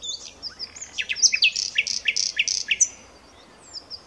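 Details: Common nightingale singing a loud, vigorous phrase of half a dozen rich, repeated, slurred notes at a steady beat. Faint chirps of other birds are heard before and after.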